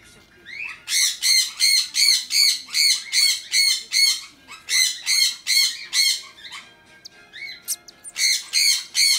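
A red-collared lorikeet gives harsh, rasping screeches, two or three a second in runs of several, broken by short pauses.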